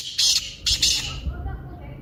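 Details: Black francolin (kaala teetar) call meant to make a caged francolin start calling: two short, rough, buzzing bursts, the second doubled, fading into a hissy room-like background.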